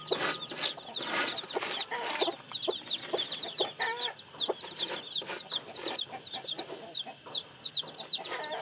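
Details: Crowd of newly hatched chicks peeping continuously, high descending cheeps overlapping, mixed with occasional lower clucks and sharp clicking knocks.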